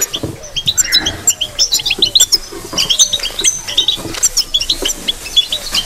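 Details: European goldfinch delivering batbata-style chatter: rapid high, sharp twittering notes in quick succession, brief slurred phrase early on, light background knocking.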